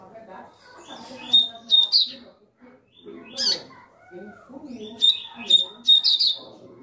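Double-collared seedeater giving short bursts of sharp, high chirps and trills, two phrases a few seconds apart, over background music and speech.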